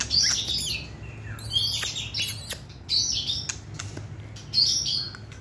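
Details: Caged white-rumped shama, a short-tailed competition singer, giving high, thin squeaky phrases and fluttery twitters in short bursts separated by brief gaps, over a low background hum.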